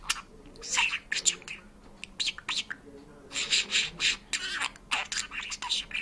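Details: Parrot that talks and sings in Georgian, giving clipped, breathy word-like bursts and a few squeaky chirps, in uneven phrases separated by brief silences.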